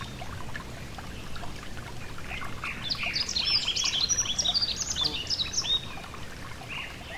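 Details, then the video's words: Next to a gentle stream, a yellow-throated bunting breaks into a lively high twitter of rapid slurred chirps from about the third to the sixth second, with flowing water throughout. "Relaxing Nature Sounds: A Gentle Stream & The Yellow-Throated Bunting (Emberiza Elegans)"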